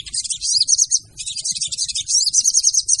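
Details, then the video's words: Female crimson sunbird calling as a lure: continuous, very high, fizzy twitter with quick trilled phrases, barely pausing over three seconds. "PANCINGAN SOGON TER AMPUH DENGAN SUARA SOGON BETINA!!!"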